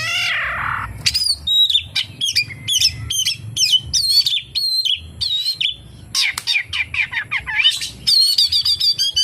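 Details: Oriental magpie-robin singing a full fill-in of kapas tembak mimicry: a rising rasp opens, then steady rows of crisp, high whistled notes and a fast rippling trill at the close.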